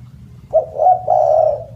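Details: Loud, melodious spotted dove phrase: a short rising coo, a hoarse middle note, then a long sustained throaty coo fading out. Serves as a lure and tutor for other doves.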